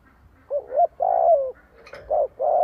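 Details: Spotted dove kept as a decoy to lure wild rivals to fight, calling a brief wavering double note and a long coo that bends downward, then two more short hoots.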